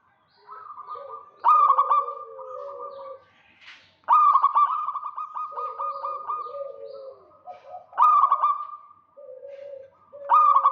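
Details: Zebra dove of local stock in full voice, luring a rival. Four strong bursts, each opening with a sharp note and rolling into fast trilled cooing, alternate with quieter, lower drawn-out coos from another dove.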